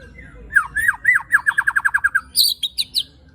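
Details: White-rumped shama (murai batu) delivering tembakan and besetan song with coarse fill: a rapid series of about a dozen slurred, downward-swooping whistles, then a burst of higher, sharper chips.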